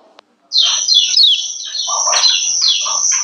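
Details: Female lemon-bellied white-eye giving 'ciak ciak' calls meant to arouse males and make them sing more: a dense run of high, thin chirps with sharp downward sweeps, starting after a brief silence, plus softer lower rasping notes beneath.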